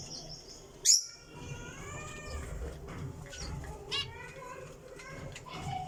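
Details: Java sparrow making soft, slightly descending piping notes, a sharp click near the start, then scattered thin tinkling calls over a quiet hum.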